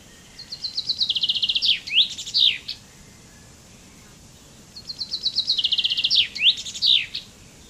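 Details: Common chaffinch (Fringilla coelebs) singing two full songs about four seconds apart, each a bright accelerating series of high notes that drops in pitch, then ends in a sharp downward-sweeping flourish, against a quiet background.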